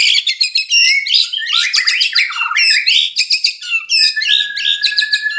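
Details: Breeding-condition white-rumped shama in a cage pouring out a dense, bright song of quick chattering notes and fast high trills, with a long steady whistle running beneath the final phrases.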